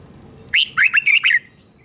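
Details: Caged red-whiskered bulbul in doubled-song style, for teaching young birds: a single brisk phrase of about five loud, slurred whistled notes lasting under a second, then quiet.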